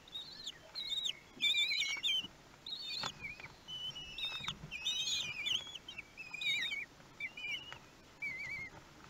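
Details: Feeding of one-week-old common kestrel chicks at Théding, 31 May 2020; bursts of shrill, quavering begging calls from several young, broken by short quiet pauses and light rustling.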